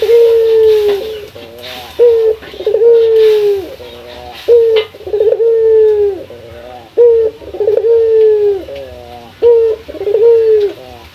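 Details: Male local dove calling to a rival, kept for use as a lure or training recording. Low, steady cooing notes about every two seconds, some drawn out and some clipped, clear and dominant against a quiet background.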